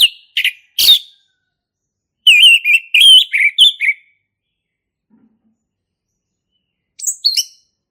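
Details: Male orange-headed thrush from the forest, singing in short bursts: sharp notes, a quick run of warbled whistles, a long pause, then a brief high phrase.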